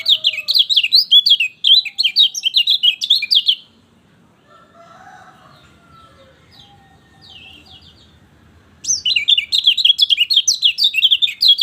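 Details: Lemon-bellied white-eye song meant to stimulate a silent bird: two bursts of rapid, high, chattering twitter, each several seconds long, separated by a quiet stretch with faint distant calls.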